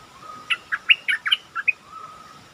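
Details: A single phrase from a caged stripe-throated bulbul lure bird: about eight bright, bouncing notes delivered in a little over a second, with a steady mechanical hum and hiss behind.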